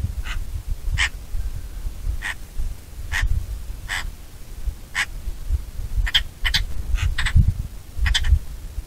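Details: Bonelli's eagle giving a series of short, sharp yelping calls, spaced about a second apart at first, then quicker in close pairs and triplets toward the end, over steady low wind rumble.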